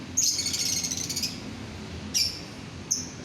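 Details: Shrill, buzzy lovebird chatter lasting about a second, followed by two short piercing chirps. The calling is used to get other lovebirds to sing. A quiet indoor background.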